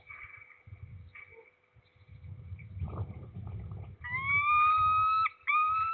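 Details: Peregrine falcon in Nadleśnictwo Trzebież, Poland, recorded 6 September 2022 in the morning: after low rumbling and scuffling, loud harsh drawn-out wailing cries begin, two long strained notes with a brief gap.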